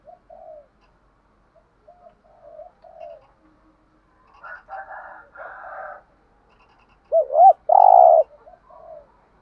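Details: Spotted dove kept as a decoy to draw in wild doves, with soft scattered coos early on, a burst of rougher notes in the middle, and a louder wavering coo followed by a long sustained note near the end.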